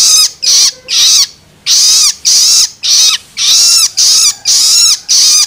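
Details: Begging of a juvenile long-tailed shrike, used to rouse adult birds: a few grating screeches, a brief pause near the start, then a rapid regular string of harsh, hissing calls.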